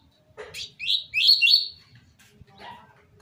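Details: Short 'tui tui zel zel' style seedeater phrase, meant for teaching young birds to sing: a sharp rising note, then three loud buzzy downslurred notes in quick succession, ending with a faint soft note in a quiet background.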